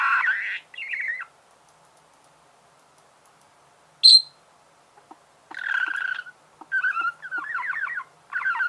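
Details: Budgerigar chatter: a buzzy burst and a short warble, a long quiet gap broken by one sharp high squeak, then renewed rasping, creaky warbling phrases.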